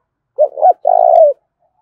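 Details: Single 'thúc' fighting phrase from a spotted dove, thổ pha đồng voice: a short rising note slurring into a second, then a long steady, slightly buzzy coo lasting about half a second.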